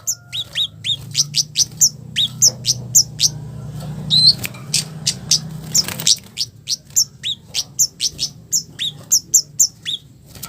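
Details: Harsh provoking call of a scarlet-headed flowerpecker, used to get other flowerpeckers to reply; long series of thin high ticks and downslurred chips over low humming background noise.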